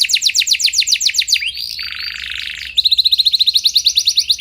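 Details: Canary with a steady rolling song meant to make other canaries answer. A rapid trill of high notes, a harsh buzzy stretch lasting about a second, then a very fast, even, bright roll.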